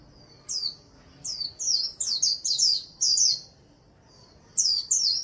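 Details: Caged white-eye kept as an ornamental bird, singing: very high, sweet notes that slur downward, sung in quick clustered bursts with brief pauses between groups, quiet background.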